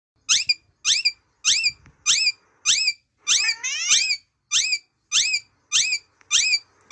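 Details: A pet Amazon parrot gives its natural sound: shrill, rising-then-falling squeaks nearly twice a second, with one longer warbling call in the middle, in an otherwise quiet room.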